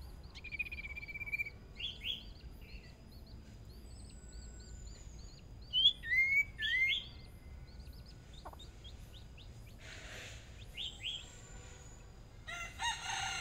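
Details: Caged Hwamei decoy bird on its first practice in a small sparring session: clear slurred whistles and rising-falling phrases in bursts, with fast repeated high chips between them and a brief rush of noise midway.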